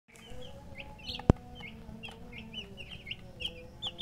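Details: Domestic chicken chicks chirping: scattered short high peeps, some sliding down, spread through the clip against a steady low hum, with a sharp click near the start.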